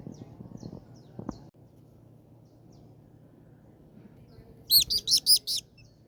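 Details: Tropical kingbird (Tyrannus melancholicus) in Colombia giving a quick burst of five high, sharp twittering notes near the end, after faint scattered chips and low background rumble.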